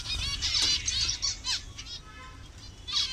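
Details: Captive colony of zebra finches in Bangladesh, birds of several colour variations, giving short nasal stacked calls in overlapping bursts, with soft wing flutters and a quieter stretch before a final call.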